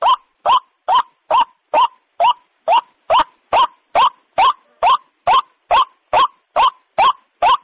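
A waterhen gives loud, harsh croaking notes that rise in pitch, repeated steadily about twice a second in an even series. No other sounds are heard.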